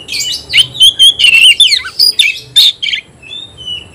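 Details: Oriental magpie-robin singing hard against a rival, fluttering its wings: a dense run of loud, varied whistles and sharp chirps, rising and falling quickly, ending in a few thin drawn-out whistles.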